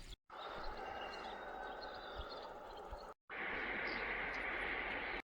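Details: Steady broadband outdoor rumble, like vehicle or engine noise, with no animal calls, cut by two brief silent gaps.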